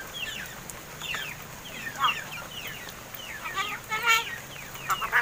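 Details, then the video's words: Pet crested mynas, called Martinez birds, about seven months old and starting to speak; repeated downslurred chirps and chattering phrases from several birds, with a loud stacked, grating burst near four seconds. "MARTINEZ BIRD TALKING!"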